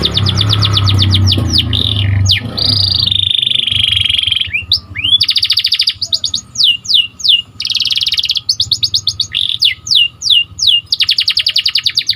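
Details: Canary singing, used to train other canaries: rapid chip series, long steady whistled tone, then repeated bursts of fast trills alternating with downward sweeps, low hum at first.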